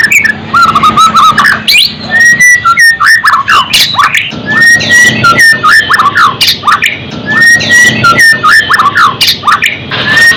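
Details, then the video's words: White-rumped shama song for building fighting spirit and emotion: a whistled phrase with mid-pitched slurs and sharp high clicks, repeated roughly every three seconds in a steady cycle. "Special murai batu untuk naikkan fighter,dan Emosi"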